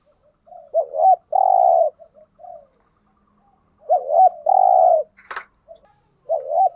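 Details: Lure cooing of a spotted dove used to draw wild doves. Two looping short notes run into a long even coo, with soft trailing notes, repeated about every three seconds, and one brief sharp click between phrases.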